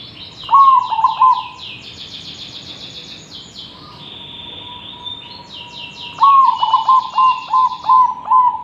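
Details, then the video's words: Actively singing zebra dove, recorded as a tutor for other birds: two phrases of quick stuttering coos ending in sustained notes, separated by a long steady tone, while another bird adds high rapid chirping trills over the top. "Perkutut Gacor,, cocok untuk masteran..!!!"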